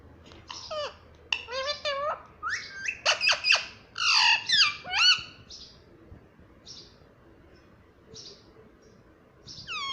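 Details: Talking parrot copying the word "mummy": a busy run of squawky, chattering syllables for about five seconds, fading to sparse high notes, with one sweeping call at the end.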